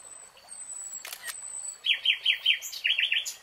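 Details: Nightingale in a lush green forest: long thin high whistles, a couple of sharp clicks, then a run of quick loud chopped notes repeated about five times, a second burst following.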